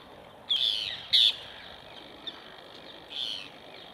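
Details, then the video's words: Two short, strident squawks and a fainter third from rose-ringed parakeets feeding on apples placed on a wire grid. "PERRUCHES à COLLIER, cris et repas aux pommes"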